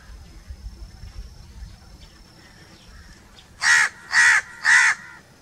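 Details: Crow calling: after three quiet seconds, three harsh, broad caws follow in quick succession, about half a second apart, over faint low rumble.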